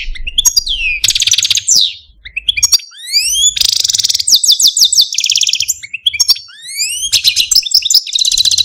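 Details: Algerian Parva goldfinch, a caged male, singing a long complex song of rising whistled slurs alternating with dense buzzy trills and fast twitters.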